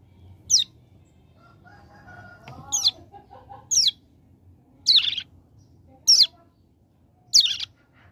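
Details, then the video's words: Hill prinia from a mountain area, singing actively in a tutor recording. Six high, buzzy, falling notes repeat roughly every second, with soft warbling underneath early on. "Ciblek Gunung Paud Gacor Ngebren Ak47"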